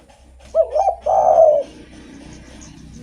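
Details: A spotted dove sings one phrase as a lure for other doves: a rapid wavering double coo, then a long hoarse note that fades downward. A soft low hum continues afterward.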